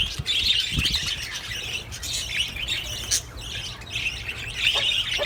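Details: Budgerigars calling to stimulate mating: continuous scratchy warbles and squawks from several birds, a few sharp clicks and a brief knock near the start, broken by a short quieter dip.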